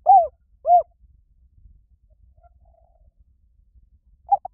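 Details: Spotted dove: two short, rounded, falling coos in quick succession, then a long silence before a faint, clipped final note.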